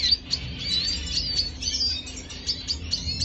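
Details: Venezuelan red siskin recorded 25 June 2022, singing quick bursts of high chirps and short slurred whistles repeated several times, with a faint low hum behind.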